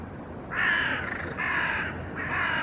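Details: Hooded crows mobbing a young ringed northern goshawk perched on a rooftop railing, flying close and vocalizing; three loud harsh caws, each about half a second long, follow one another with short gaps.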